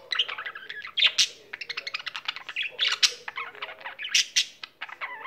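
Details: Caged pet budgerigar in full song, a busy stream of rasping chirps, clicks and brief whistles delivered in quick bursts with loud sharp peaks every second or so.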